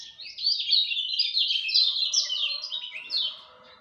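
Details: At dawn, a lemon-bellied white-eye pours out a loud, continuous, high-pitched warble of quick jumbled twittering notes, with a rooster crowing faintly behind in the second half.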